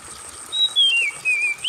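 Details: An Oriental magpie-robin gives one clear whistled phrase that slides down, wavers, then turns sharply upward, over a steady high trickling-water hiss used as therapy for stressed magpie-robins that stop singing.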